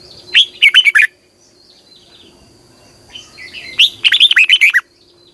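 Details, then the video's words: Red-whiskered bulbul singing as a lure for training bulbuls, morning session, 2020. Two rich, fast phrases of rolling, downslurred whistles, separated by quieter scratchy notes. "Luyện chào mào hót sáng 2020 - Ép chào mào hót Giọng kép xoắn dài hay tuyệt, luyện chào mào hót"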